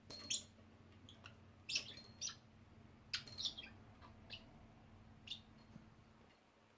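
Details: A budgerigar named Minion playing a bell game gives short, scratchy chirps in scattered bursts, mixed with high tinkling bell notes as he rings the bell, over a faint low hum.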